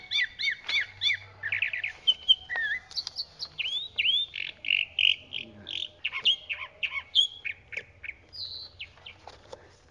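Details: Chalk-browed mockingbird pouring out a continuous, highly varied song of repeated chips, slurred whistles and buzzy notes, each motif given a few times before switching, steady for ten seconds.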